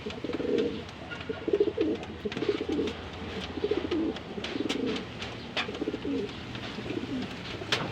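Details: Pigeons are put together for breeding pairing, and one coos repeatedly. Low, rolling coo phrases come about once a second across eight seconds, with scattered clicks and taps in between.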